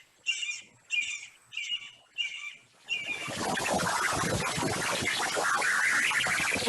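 Red-shouldered Hawk giving five loud, high, ringing calls about two-thirds of a second apart. A steady rushing noise then drowns them out.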